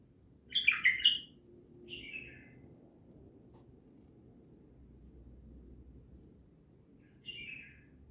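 A bulbul gives a burst of bright, warbled notes, then two short whistled phrases spaced several seconds apart, over a low background hum.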